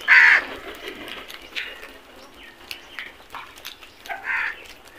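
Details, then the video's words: Caws from a crow flock going after food: a strong harsh caw at the start and another near the end, with softer scattered calls from the flock between them. "Flock of crows attack on food beautiful video | Beautiful crows sounds"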